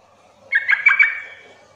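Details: Sooty-headed bulbul calling to provoke other bulbuls into calling back: a single rich, bubbly phrase of about four rapid chattering notes lasting half a second, clear against a quiet background.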